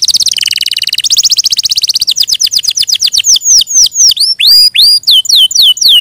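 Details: Canary trilling rapidly at first, then slowing into a sequence of distinct falling and rising swept whistles repeated about four per second.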